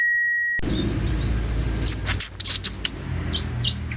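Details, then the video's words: Long-tailed shrike singing actively with rich mimicked phrases: after a brief steady electronic tone, thin high chirps and short upslurred whistles scattered over a steady low rumble. "CENDET GACOR ISIAN MELIMPAH!!"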